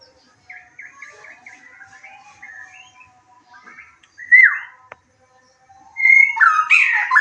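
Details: White-rumped shama lure song meant to excite a listening bird into replying and showing off its repertoire: soft, quick twittering at first, then a sudden loud downslurred whistle and a bright, tumbling burst of whistles and trills.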